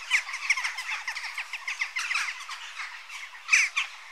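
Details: Western jackdaw calls: rapid harsh squawks and rasping chatter, ending with a loud, sharp call and a couple of echoing notes.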